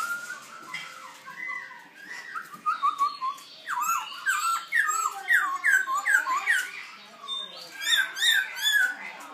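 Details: Young black throat learning to sing: a rambling run of varied short slurred whistles and chirps, rising and falling notes tumbling quickly one after another, growing busier and higher toward the end, recorded indoors.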